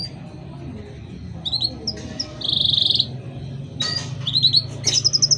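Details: Caged canary song used as a master recording to train or provoke other canaries: short high chirps, a sustained buzzy trill near the middle, then rapid repeated whistled notes, over low background hum.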